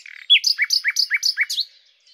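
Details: Common nightingale, Luscinia megarhynchos: a brief soft buzz, then five quick repeated two-part notes, each a high note dropping to a lower slur, in a fast even rhythm.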